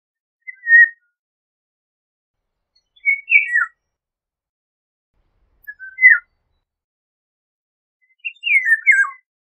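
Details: Short liquid whistles from a Eurasian golden oriole, four phrases about two and a half seconds apart, the last one longer and more tumbling.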